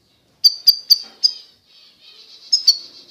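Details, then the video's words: European goldfinch, authentic Constantine goldfinch of eastern Algeria, giving a series of sharp high tinkling notes roughly every quarter second, followed by a soft thin twittering passage and more bright clipped notes. "تغريد الحسون القسنطيني الاصيل (حسون الشرق الجزائري)"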